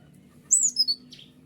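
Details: Van Hasselt's sunbird (white-winged 'konin' form) used as a tutor song for other birds: a brief burst of two or three thin, high whistled notes, slurring downward, followed by a faint buzzy note.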